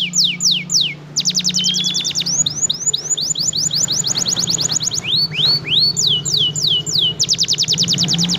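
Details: F1 canary in full, relentless song, kept as a tutor model for other birds: quick series of downward-sweeping high notes, a long drawn whistle, rapid rattling trills and rising slurred notes over a constant low hum.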